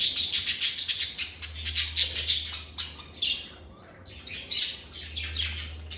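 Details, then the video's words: Lovebirds in a calm, stress-free setting, chirping and squawking: a dense run of sharp, high chirps in quick succession, briefly thinning near the middle and then resuming, over a faint low hum. "Lovebird Singing & Chirping Sounds"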